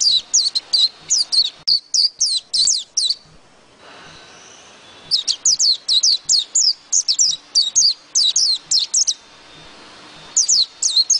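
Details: High, sweet twittering of a white-eye: bursts of fast, sharply falling chirps about a second apart, a brief quiet gap, then a longer excited stream of notes.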